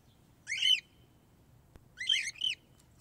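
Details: Cockatiel song from a recording made to teach young cockatiels to sing: two bright, bending whistled notes with rich overtones, rising then falling, about a second and a half apart, over a quiet low hum.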